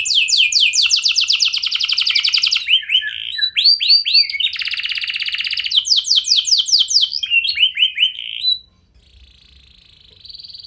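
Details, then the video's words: Canary singing to provoke other canaries into answering: continuous rapid high trills and rolled notes changing speed and pitch, a buzzy held passage, then the song stops and a quieter, distant trill follows. "99,99% Pasti Kenari Lain Langsung Respon Dengan Pancingan Kenari Gacor Lagu Istimewa Ini"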